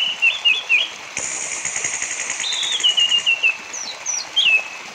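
Orange-headed thrush song of quick, slurred whistles and short rattling trills in high phrases, played to spur other thrushes into singing; a thin steady high tone runs underneath.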